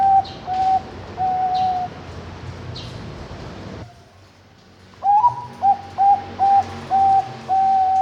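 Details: Zebra dove kept at a bird farm in Kediri, Indonesia, giving its anggungan song: several soft level coos, a quiet gap, then a rising lead note followed by a rhythmic run of five or six bright, mellow notes.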